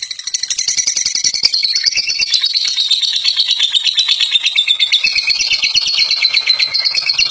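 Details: Long ngekek song of a fighter lovebird, a steady rapid chatter of sharp high notes, pulsing about three times a second with slight downward pitch drift.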